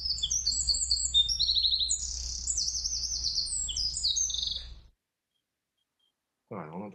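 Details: A Eurasian wren pours out its complex song, a loud, very high, rapid string of trills and sharp notes climbing very high in pitch, for about five seconds; after a pause, a person briefly speaks.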